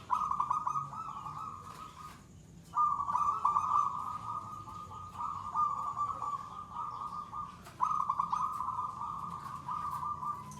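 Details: Gacor third-stage song of a mentally settled, fearless zebra dove (perkutut), whose bouts run at least two minutes; long, nearly continuous trilled cooing in three extended runs broken by brief gaps, steady in pitch.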